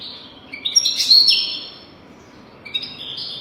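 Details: European goldfinch song on a tutor track for young birds: a high chirp leads into a loud, tinkling twittered flourish, followed by a pause and a fresh run of rising, buzzy notes.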